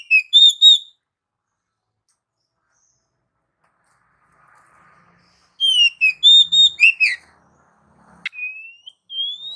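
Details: Oriental magpie-robin singing, a recording meant to lure and train pet birds: clear whistled notes, some rising, in short phrases with long pauses between them, ending with two long rising whistles.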